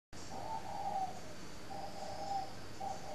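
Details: Spotted dove kept as a lure bird at a dove breeding garden in Ba Vì, Hanoi, northern Vietnam; soft, low hooting coos in short phrases, separated by brief pauses, over steady background hiss.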